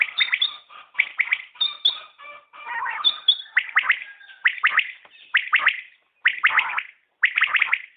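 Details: Common quail call series: punchy three-note phrases repeated at a steady pace, the opening seconds busier with overlapping twittering notes before the clean phrases continue.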